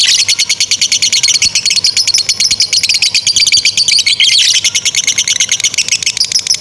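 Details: Lovebird in long ngekek song, a training model for young or stuck birds; very rapid, dense high-pitched chatter flowing continuously, with a short sweeping note near the middle.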